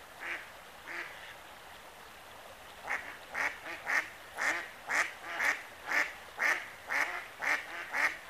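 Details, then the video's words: Hooded merganser calling excitedly while swimming; two short harsh notes, a pause, then a steady run of about eleven rasping calls spaced roughly half a second apart, with faint background hiss. "Hooded Merganser excitement of Swim along with Calls"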